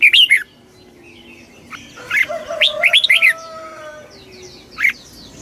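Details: Red-whiskered bulbul in very fast 'kích bổi' song: a short warbled burst, then a longer run of tumbling chirps over faint tonal hum, with scattered soft twitters from other birds.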